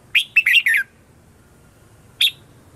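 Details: Red-whiskered bulbul singing a morning song, used as a lure to call wild birds: a quick burst of three or four sharp, warbled whistled notes, then a brief pause and one more sharp note.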